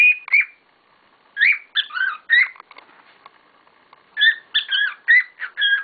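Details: Cockatiels kicking up a storm: clusters of sharp, wavering chirps and squawks repeated in lively groups with brief silences between.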